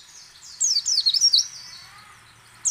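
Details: High-pitched white-eye (pleci) song of the ngecal, ngalas and nembak type, meant to coax other white-eyes into singing. A single quick run of sharp, falling twittered notes lasts under a second, with a faint hiss behind it.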